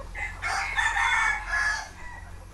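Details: Red junglefowl, captive young hens raised as decoy birds, happily dust-bathing in soil; a loud, harsh, harmonic-rich call in several drawn-out bursts over about two seconds, over a low steady hum.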